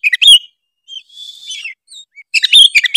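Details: Oriental magpie-robin, Tretes type, singing to provoke rivals: a burst of scratchy chattering notes, a thin wavering whistle, then another dense chattering burst.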